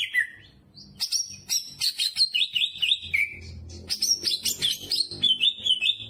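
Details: Greater green leafbird in full, lively song filled with jamtrok-style phrases: a rapid run of loud, varied high whistles, slurred up and down notes and short trills, delivered almost without pause.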